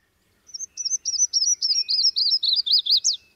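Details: Yellow-throated warbler (Setophaga dominica) song, a bird of southeastern US pines, sycamores and bald cypress swamps: about a dozen clear, slurred, melodic whistles descending, then flicking sharply upward at the end.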